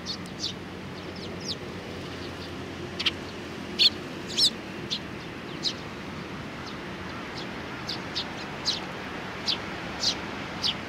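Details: Eurasian tree sparrows, a small group with a young bird, 27 June 2019. Thin isolated chirps, mostly soft, with a few louder notes around the middle, amid constant low background noise.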